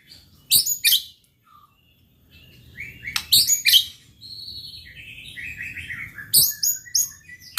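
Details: Sparse white-rumped shama song used to agitate rivals: loud sharp high bursts at intervals of about three seconds, between them softer warbled phrases, with a low background hum.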